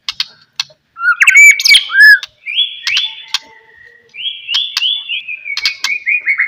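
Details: Shama (white-rumped shama) song meant to set other shamas singing: scattered clicks open into bright, loud whistled phrases, with drawn-out wavering whistles punctuated by sharp ticks.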